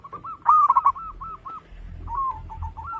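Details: Local zebra dove singing loudly, a recording suited as a lure for other birds: a short burst of quick, staccato cooing notes, then a quieter rolling series of coos, with faint background hum.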